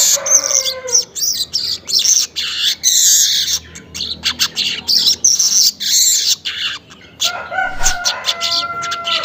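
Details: Early morning weaver singing at about 5:40, a lure recording: rapid scratchy, buzzy bursts of chatter, repeated in quick clusters, followed by a few clearer rising whistled notes near the end.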